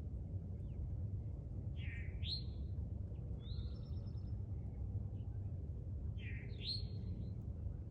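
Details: An American robin in a yard gives two short, clear, slurred whistled phrases about four seconds apart over a steady low rumble of wind or distant traffic.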